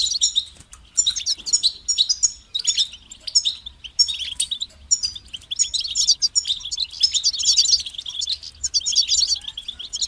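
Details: European goldfinch in full song, with repeated bursts of liquid twitters, nasal buzzes and rapid trills that grow more continuous in the second half, over a faint steady hum.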